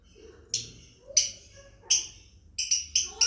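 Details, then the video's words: Lovebird family chirping for training as a master sound: sharp high chirps about every second, ending in a quick run of four rapid chirps. "MASTER BIRD CHIRPING LOVEBIRDS FAMILY"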